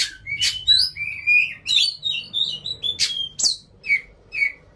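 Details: Oriental magpie-robin singing as a lure for other magpie-robins: sliding whistles and warbled phrases broken by scratchy, harsh bursts, later short downslurred whistles repeated; faint low rumble underneath.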